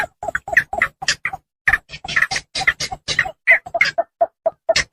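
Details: Javan pond heron lure recording of rice-field birds, used by hunters to attract them: rapid irregular bursts of short, harsh clucking croaks, low notes alternating with higher squawks, overlapping as if several birds call together, with brief pauses.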